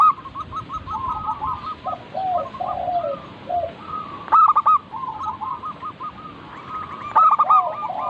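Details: Local zebra dove (perkutut) song meant to prompt birds into singing: several overlapping rolling coo phrases in quick succession, stuttered notes with lower drawn-out coos, two brief sharp clicks, steady low background noise.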